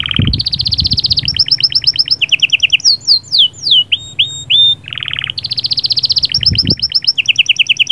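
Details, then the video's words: Canary in full song, the sahsahat and batbatat types said to stimulate a female; dense rolling trills alternate with a burst of falling whistles and a buzzy rattle before the rapid trilling resumes. "صهصهات وبتبتات طائر كناري غول و تغريد🔥🔥 يجهزلك الانثي فورا"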